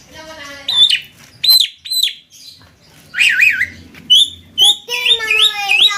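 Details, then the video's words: Javan myna singing 'konslet gacor': loud, piercing, clipped whistles broken by pauses, then a harsh wavering burst and a final string of bright, bouncing notes. "Burung Jalak kebo konslet gacor"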